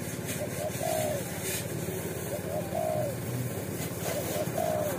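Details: Fierce, brave wild spotted dove from an Indonesian watering post, not yet caught by lure trappers, repeats faint low two-part coos about every one and a half seconds over vehicle rumble and background noise.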